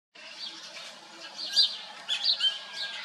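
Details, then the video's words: Himalayan Black Bulbul (Microscelis psaroides) in Kashmir giving brief, squeaky, high chirps a few times over three seconds against a steady hissing background. "The Himalayan Black Bulbul (Microscelis psaroides) Song"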